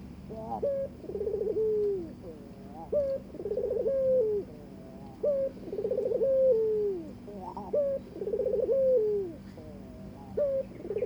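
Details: Barbary dove wooing its mate: five evenly spaced, rolling coos, each opening with a brief rising note before a vibrating trill that glides down into a sustained mellow tone.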